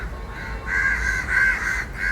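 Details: Crows calling while fighting for food: harsh drawn-out caws in a row, over steady low background rumble.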